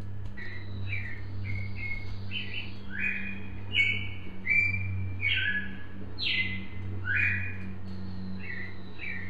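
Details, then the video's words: Cardinal from Brazil singing a lively series of clear whistled notes, some sliding downward and some rising, in short varied phrases; a steady low electrical hum runs underneath throughout. "Sonido del Cardeal El cardenal"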